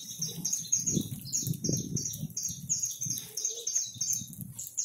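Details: Over a hundred free saffron finches gather in a backyard at feeding time, their overlapping high chirps forming a steady, busy twittering chorus, with low thumps and rustles in the background.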